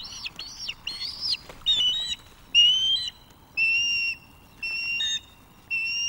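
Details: Wild osprey pair at a webcam nest in May 2024: a young male courting the female by delivering fish while she food-begs. Clear high whistled chirps, some with short rising-falling slurs, repeated about once a second in quick bursts over faint background.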